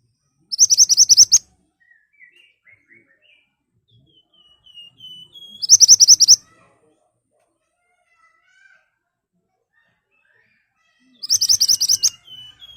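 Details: Lure recording of a loud ashy tailorbird giving sharp 'nembak' song: three short bursts of fast, high, ringing notes about five seconds apart, with faint soft whistles between them.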